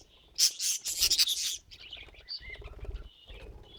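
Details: Budgerigar in a joyful mood, giving a burst of loud scratchy chirps followed by softer twittering and a few short whistled notes.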